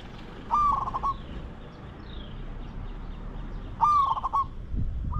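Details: Spotted dove used as a decoy to lure wild doves: two cooing phrases about three seconds apart, each a clear level note breaking into quick stuttered pulses, with faint higher chirps from other birds and low background rumble.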